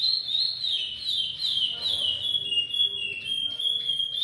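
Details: Chestnut-bellied seed finch from a breeding facility in Sergipe, singing the Goiano repeater song style. It is a loud, continuous, pure whistle that wavers and slides gently up and down at a high pitch without a break.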